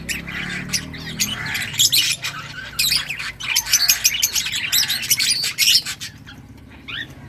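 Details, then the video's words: Lovebirds in many colours chattering, with busy shrill chirps and scratchy squawks packed together, fading toward the end. "Lovebirds singing & chirping sounds"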